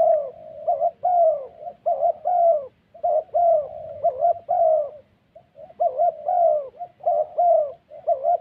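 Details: ["Spotted dove cooing in the 'thổ' style, recorded during dove trapping with ground decoys in the wild forests of Vietnam's Central Highlands; loud, mellow low coos in rapid two- and three-note groups, repeated steadily with short pauses."]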